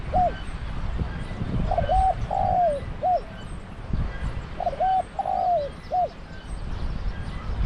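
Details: Spotted dove, a decoy bird with a deep voice luring wild doves at a trap enclosure in Thailand. Two clear three-part cooing phrases, a short coo, a long wavering falling croo and a clipped end note, sound about three seconds apart against low rumble.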